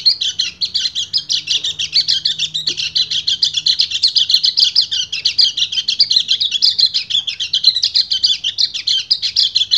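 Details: High, busy twittering song of a breeding male white-eye calling a female, sustained for the whole stretch as fast chirpy phrases run together; a low humming tone appears briefly in the background.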